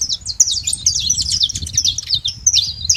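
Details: Saffron finches in a free-living flock at a feeding site, many birds chirping at once: quick, high, twittering notes packed tightly together, with faint low background rumble beneath.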